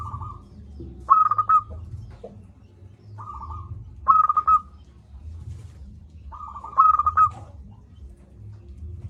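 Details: Local zebra dove calling loudly, used as a lure for lazy doves: three phrases roughly every two and a half seconds, each a soft lead-in note followed by a fast bubbling string of coos, against low background hum.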